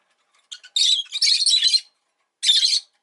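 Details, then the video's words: Pet rosy-faced lovebird chattering: a couple of short chirps, then a long harsh, buzzy screeching run and, after a silence, one more rasping burst. "Lovebird Chirping Sounds"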